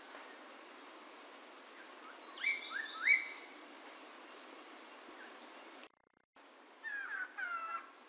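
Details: Chinese hwamei from Medan singing faint, clear slurred whistles that rise and fall in two brief bursts, with a steady background hiss and a short silent gap between them.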